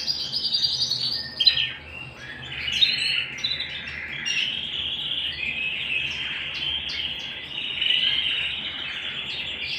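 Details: Canary singing at home, a long unbroken run of high rolling trills with a few sharp clicks and short bursts, holding a steady, tight band throughout.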